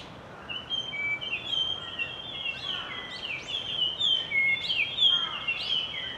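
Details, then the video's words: Chorus of resident Japanese grosbeaks giving clear whistled and slurred notes in quick overlapping phrases, loudest midway, over low steady hiss. "イカルのさえずり A song of Japanese Grosbeak"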